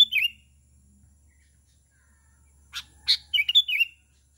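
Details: Sooty-headed bulbul calling to other bulbuls as a lure: a bubbly phrase at the start, a long pause, then clicks and a second rapid warbled phrase of liquid notes.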